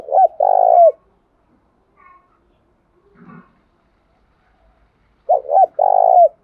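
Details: Decoy spotted dove, tamed and calling strongly, giving a coo-coo-croooo phrase at the start and another at the end, with a few faint scattered sounds in between.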